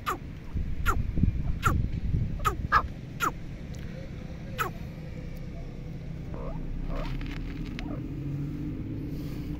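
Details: Female teetar, or red partridge, uttering a quick run of sharp falling notes in the first five seconds, then quieter faint sounds over a low hum.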